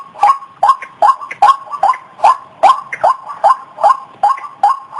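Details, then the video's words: Repeated harsh notes of a white-breasted waterhen used to lure birds for trapping, pulsing about two and a half times a second, slightly uneven, some doubled notes. "Suara burung Ruak Ruak pemikat"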